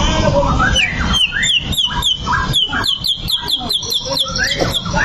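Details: White-rumped shama singing in a style meant to provoke a rival into fighting. A rapid run of downslurred whistled notes, several per second, sits between richer varied phrases at the start and end, all over heavy low rumbling background noise.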